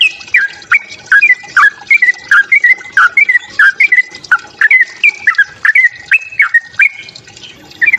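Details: Sooty-headed bulbul fighting song, used to provoke other bulbuls into singing: a steady run of short, liquid, slurred notes, each with a quick downward inflection, repeated about three times per second with brief pauses.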